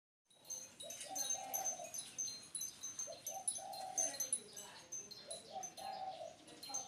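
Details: Spotted dove singing, three soft, low, hooting coo phrases in about seven seconds, each a short stepped rise into a longer held note, over steady high chirping and twittering from small birds.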